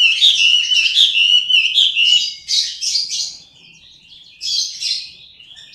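A Chinese hwamei sings a loud, rich run of varied whistles and rapid trills, the phrases tumbling into one another with brief pauses and no other sounds.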